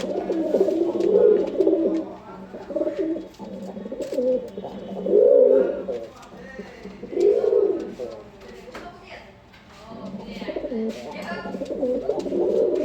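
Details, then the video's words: A male domestic pigeon, kept as a pet with a black female nearby, gives deep, rolling coos in repeated bursts, with a person talking nearby. "এই যে দেখুন নর কবুতর কীভাবে ডাকে।"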